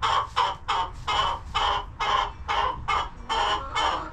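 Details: A coop hen on a homestead gives a steady string of strident, raspy squawks. About nine evenly spaced bursts come within four seconds, each one rough and full-throated.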